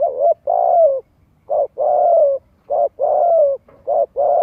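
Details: Spotted dove cooing as a lure call to stimulate young birds to practise cooing: soft, low hooting coos in a repeated short-then-long pattern, each long note falling gently at the end, in a quiet background.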